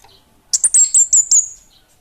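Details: Orange-headed thrush, 'Bunga Api Kecil' type, in energetic song: a quick burst of six very high, sharp whistled notes in under a second, each with a slight downward slur, trailing off into a thin fading whistle.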